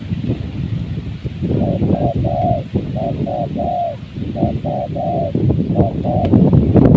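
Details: Spotted dove heard during bird trapping in a season of strong wind: phrases of two short coos followed by a longer drawn-out coo, repeated three times in quick rhythm, over constant low wind rumble.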